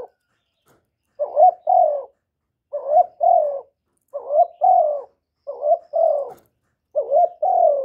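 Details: Spotted dove in a steady cooing bout: five low two-part coos about one and a half seconds apart, each a short broken note followed by a longer, slightly falling hoot.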